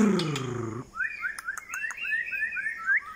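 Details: White-rumped shama song: after a brief low, harmonic humming sound, a rapid run of short rising whistled notes follows, several per second, with faint clicks in the background.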